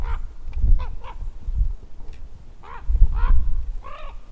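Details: Common raven calling from overhead: short hoarse, nasal croaks with a wavering, ringing tone, in loose bursts of two or three, over heavy low rumbling wind or handling noise.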